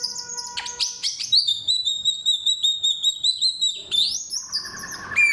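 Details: Samyong (black-throated laughingthrush) singing a loud, clear 'thousand voices' medley of forest material: a long steady pure whistle pulsed several times a second, then a sharp rising slide and lower buzzy notes.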